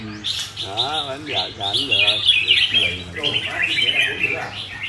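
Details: Caged red-whiskered bulbul pours out rapid, high, twittering phrases in a near-continuous warble, about four notes a second, after a man's voice at the start. The man keeps talking quietly beneath the song.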